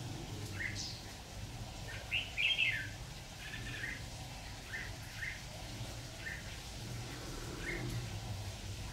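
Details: Decoy red-whiskered bulbul singing during trapping on 26 October 2019. A short, lively warbled phrase sits among sparse single chirps, with a low rumbling background throughout.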